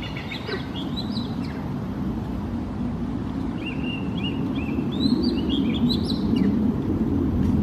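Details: Oriental magpie-robin singing its individual tune in Singapore: varied whistled and warbled phrases, short notes sliding up and down, some scratchy, with a pause mid-song, over a loud low rumbling background.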